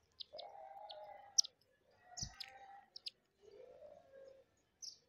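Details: Indian silverbills, hundreds of which visit rooftop seed feeders each morning, give scattered thin, high chirps in quick succession over lower drawn-out tonal notes that rise and fall.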